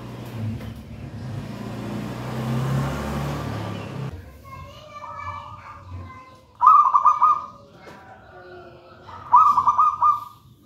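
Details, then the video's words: Local wild-type zebra dove, taken from a nest in a pisang raja banana plant, singing vigorously: two stuttering, rolling coo phrases after the first four seconds of children's voices and background chatter. "Perkutut manggung gacor"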